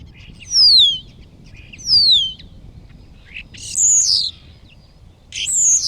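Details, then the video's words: Common starling singing with wing-flapping display beside a blue hut where it nests under the roof: loud clear whistles sliding down from high pitch, repeated about every 1.3 seconds, followed by harsher buzzy rasping notes. "Filming singing Starlings"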